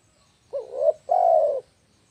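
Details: Spotted dove call for luring birds: one phrase of a short wavering coo leading into a longer steady coo, loud and clean with faint low background rumble.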